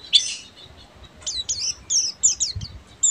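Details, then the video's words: A buxtomi Oriental white-eye sings in the ngeriwik manner, opening with a burst of rough high twitter, then a sequence of thin falling whistled chirps spaced closely together. "PLECI BUXTOMI FULL NGERIWIK"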